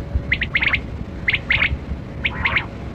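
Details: Kali kirak quail (batera), called during a hunt: short raspy chirping notes in quick clusters of two to four, repeated about once a second, over steady low rumbling background noise.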